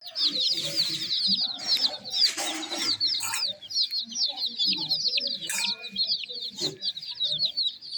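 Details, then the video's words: Young chickens chirping as a group: a continuous stream of high, thin, fast peeps, with scattered faint lower sounds and short bumps in the background. "Tint Baby MURGI Chicks are Chirping Sounds"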